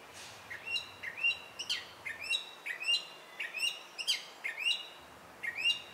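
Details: Gray Catbird in Virginia singing a rambling run of squeaky, varied phrases, about two notes a second, mostly high with rising and falling slurs.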